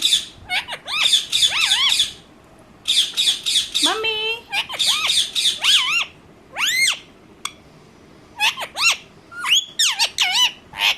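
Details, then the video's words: Indian ringneck parakeet kept as a talking pet, said to be angry and to have just hit another bird, screeches in harsh pulsed bursts and sharp sweeping shrieks with short pauses between. "bolane wala tota"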